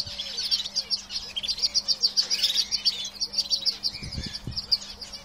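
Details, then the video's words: Several canaries kept in a cage pour out continuous high, rapid chirping and rolling trills. Faint low whistles recur throughout, and a couple of dull thumps come near the end. "Birds Singing in Cage - Canaries"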